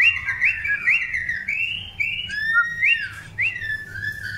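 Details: Pure whistled phrases from a long-tailed white-rumped shama in the breeding pairing process, with smooth sliding notes, some rising sharply and others drawn out and falling, separated by brief gaps.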